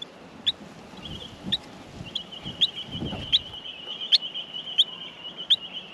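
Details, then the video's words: Australian miner nestlings in the nest while being fed: short, sharp high chips about every second over a steady thin high-pitched tone, with soft low rustling and thumps beneath. "Australian Minor baby birds in the nest feeding"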